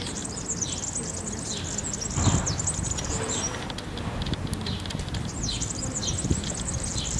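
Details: European serin singing in a town square in Zamudio, Txorierri, Bizkaia, on 7 May 2018: a thin, very high jingling trill runs almost throughout, mixed with short descending chirps and a constant low town hum.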